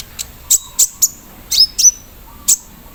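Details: Caged olive-backed sunbird in the morning dew singing with embroidery-machine imitation: a few well-spaced, very high sharp chips, one joined to a thin level whistle, in a quiet background.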